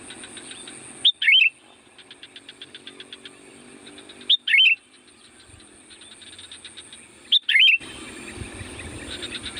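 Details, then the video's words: Kutilang or sooty-headed bulbul singing loudly to lure wild birds: a brief liquid whistled phrase repeated three times about every three seconds, with fainter pulsed high chirps filling the gaps. "SUARA BURUNG CUKUP AMPUH UNTUK PANGGILAN KUTILANG LIAR"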